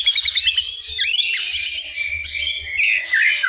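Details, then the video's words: Wild forest white-rumped shama singing as a lure for silent or young shamas: a continuous high, squeaky, jumbled stream of notes with sudden sharp slurs and chattering bursts. "SUARA MURAI HUTAN GA ADA LAWAN, SIAP PANCING MURAI BISU DAN BAKALAN"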